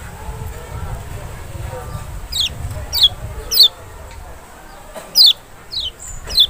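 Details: Lemon-bellied white-eye (Kecial, Lombok or Sumbawa form, Zosterops chloris maxi), a sound used to provoke a reluctant bird to respond: six thin, high, steeply falling whistled notes, spaced irregularly, with a low rumbling background.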